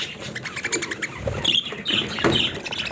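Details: Budgerigar parrots kept as pets give a busy stream of scratchy warbles and chirps, with several louder squeaky notes in the second half, over low room noise.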